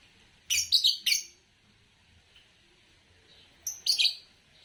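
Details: Green Fischer's lovebird, noted in Indonesia for long-duration song, making three quick harsh chirps in a tight run at the start, a pause with faint low hum, then two or three more raspy chirps.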